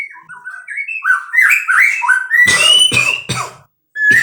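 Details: White-rumped shama from a breeding setup singing rising whistled notes that climb stepwise, followed by loud harsh clicks and a final whistle.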